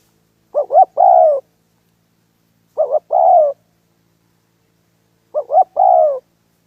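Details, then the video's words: Spotted dove used in trapping wild doves, giving three well-spaced phrases of two quick wavering notes and a drawn-out falling coo, about every two and a half seconds, with no other sounds. "Sound of dove so cut"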